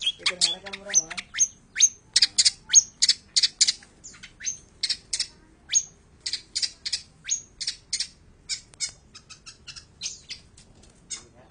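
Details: Rapid high-pitched song of a long-tailed shrike, mixing clipped chirps with repeated thin whistled notes that rise sharply, delivered in quick bursts separated by very short gaps.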